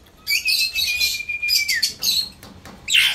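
A rose-ringed parakeet gives harsh, scratchy screeches and chattering bursts, with a thin steady whistle running underneath for about two seconds.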